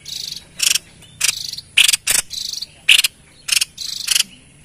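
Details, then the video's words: A White-chested babbler sings actively, a sound used to draw in wild birds: grating, buzzy bursts alternating with bright squeaky accents, about two per second. "Tepus Dada Putih Gacor"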